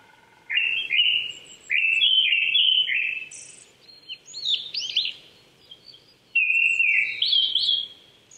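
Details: Japanese thrush at about 800 m in Saitama Prefectural Forest, Chichibu, on an April 2019 morning, sings loud, varied whistled phrases with quick rolling notes in bursts of a second or two between pauses; faint high calls from other birds behind.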